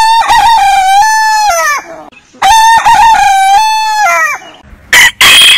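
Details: Rooster crowing, heritage chicken breed compilation; two matching long crows, each with quick rising opening notes and a sustained level tail, followed by brief harsh bursts.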